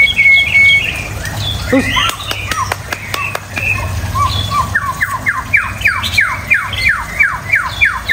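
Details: White-rumped shama: scattered clicks and short notes, then a fast series of about a dozen sharply descending whistled notes repeated several times per second, over a low rumbling background.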